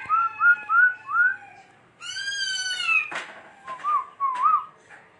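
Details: Laughingthrush in dancing song: four quick upslurred whistles, a long harmonic-rich sustained note, a harsh burst, then two short rising-falling whistles.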